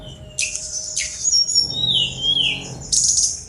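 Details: Sunda robin with buzzy high bursts, then a long, smooth whistled note that wavers and falls. A further harsh high burst closes the phrase, over a faint low hum.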